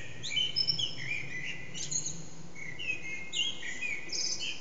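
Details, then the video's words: Early-morning Eurasian blackbird, around 4:30am, singing out of view in a reverberant backyard, phone-recorded: dense, loud run of fluted whistles and high squeaky twitters, phrases overlapping with echo throughout. "Blackbird's morning song"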